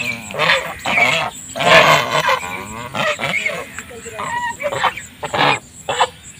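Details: Domestic geese kept on a farm in a rice field, giving loud, harsh, nasal honks in overlapping bursts of half a second to a second, several birds calling together, with some human voices and a steady high background hum.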